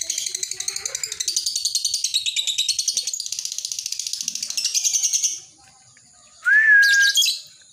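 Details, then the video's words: Lovebird delivering the ngekek chatter, recorded for training and luring other lovebirds; rapid buzzy trilled notes run unbroken for about five seconds, then after a brief pause a loud, short rising squeal. "Suara Lovebird Ini Tetap Ngekek"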